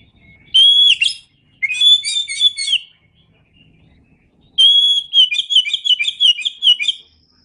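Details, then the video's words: Oriental magpie-robin, known locally as kacer, in Indonesian masteran song: three loud phrases of bright whistles leading into fast trilled, jumbled notes, with short silences between them and faint low rumble underneath. "Masteran Suara Kacer"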